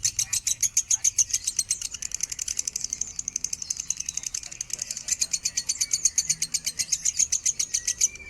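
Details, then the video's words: Lovebird minor song in standard tone for bird training: a sustained chatter of piercing high notes, about four per second, that speeds into a denser trill in places, then settles back, with faint background noise. "suara burung lovebird minor nada standar"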